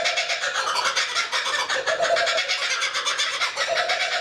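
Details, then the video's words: One kookaburra in a tree near a lake at Tuggerah, Australia; a short burst of quick, harsh laughing notes, steady rapid pulses with brief lower hoots rising midway. "The Kookaburra - A Sound of Australia"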